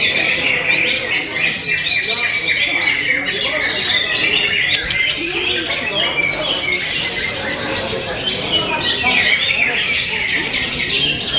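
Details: Greater green leafbird (cucak hijau) pouring out its song material: jumbled, rapid chattering, squeaks and the odd upward whistle, high and continuous, varied note to note without a fixed rhythm.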